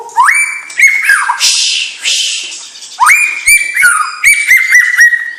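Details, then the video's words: White-rumped shama, a young bird of champion lineage, gives long, clear whistles that swoop upward and hold steady. A pause with a breathy hiss follows, then a fast series of repeated upslurred whistled notes. "Murai Batu Bibit Trah Juara"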